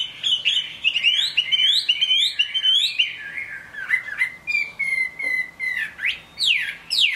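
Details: Chinese hwamei singing in the rain: a fast string of upslurred whistles, then long, drawn-out falling notes and sharp rising sweeps, loud and ringing throughout.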